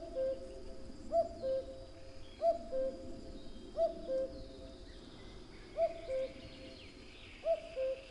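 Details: A common cuckoo gives its falling two-note cu-coo six times in a regular series, each phrase spaced a little over a second apart. Light distant birdsong and quiet ambient hiss lie underneath.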